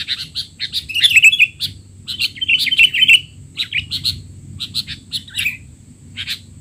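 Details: Noisy 'teler' calling of a sooty-headed bulbul, meant as a training model for young birds: rapid strings of sharp chirps, with two louder warbling bursts near the start and the middle, then scattered short notes.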